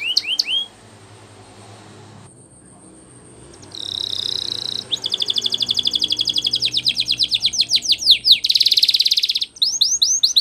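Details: Canary training song with a noisy background: a few opening whistles, a pause, a short buzzy phrase, then a long fast pulsed trill, a dense buzzing roll and closing hooked whistles.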